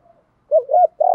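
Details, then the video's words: Spotted dove recording, male and female, made to excite captive birds for daily training; brief burst of low warbling coos rising then falling, ending in a steady hoot. "cu gay moi gay goi cu moi cu gay cu moi"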